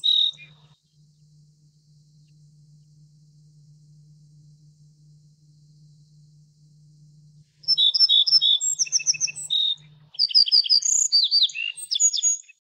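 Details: Little bunting: after one short high note, a long quiet stretch with a steady low hum, then two lively phrases of rapid, high-pitched, slurred and chipping notes in quick succession.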